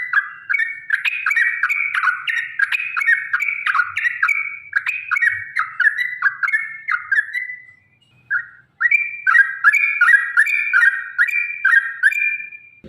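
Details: Yellow-vented bulbul, energetic "gacor" song used as a lure for caged birds: continuous bubbling phrases of slurred whistles, a brief pause near eight seconds, then another lively run.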